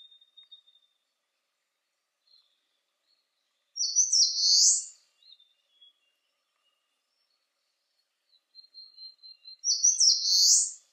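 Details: Eastern crowned warbler singing on a sunny day at 19°C: two high, buzzy, slurred phrases about six seconds apart, each opening with sharp notes and ending in a falling buzz, with faint thin whistles between.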